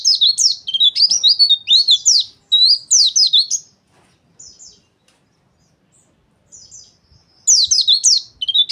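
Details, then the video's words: White-eye giving harsh ngeriwik chatter used as therapy and lure audio: rapid high, thin, scratchy notes in dense bursts lasting a few seconds, a quiet gap with faint notes, then another loud burst. "PLECI NGERIWIK KASAR"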